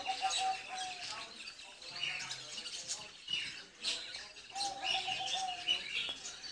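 Crimson rosellas give busy, scratchy chattering through the whole clip, broken by a few clear, piping whistled notes, some drawn out and level.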